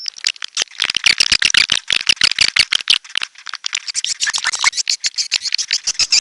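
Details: Red-nest edible-nest swiftlet producing a fast rattling series of clicks mixed with buzzy high chirps, pulses coming several per second in an unbroken chattering run.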